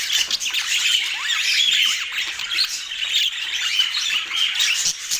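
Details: Budgerigar kept as a pet in Portland, giving a busy, high warbling chatter of quick squeaky chirps and short rising and falling whistles, continuous and bright throughout.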